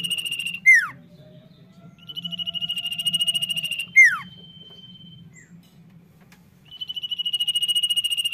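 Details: Common iora in full song: a steeply falling slurred note, a sustained pulsed trill, a thin steady whistle, another falling slur and a final pulsed trill, with a constant low hum in the background.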